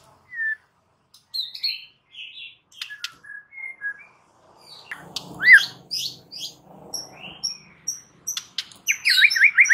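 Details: White-rumped shama song used to provoke rival males into singing: varied whistles, short buzzy notes and sharp clicks in scattered phrases, ending in a fast rising trill series.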